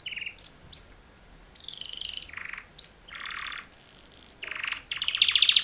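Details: Canary mating song from two males, heard more faintly over background hiss: short bright chirps alternate with rough buzzy bursts, a high ringing trill near the end, and a fast rattling finish.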